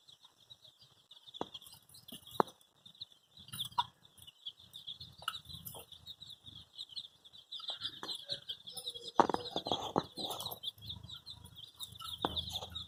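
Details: A group of colourful baby chicks calling for their mother gives rapid, high-pitched cheeping that runs without pause, with scattered knocks and shuffling sounds, busier toward the end.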